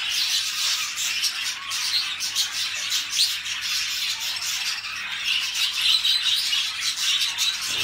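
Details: Many caged budgerigars, males and females, in excited mating chatter: a dense continuous wash of high warbling, chirps and squeaky notes with no pauses.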